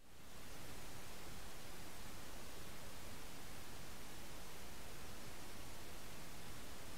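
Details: Steady broadband hiss fills the recording from start to finish, with no calls, song or other animal sounds.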